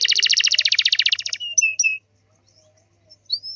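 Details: Singing canary in full song, used to make other canaries answer: a fast buzzy trill of rapid repeated notes, then a few whistled downslurs and a brief rising whistle after a pause.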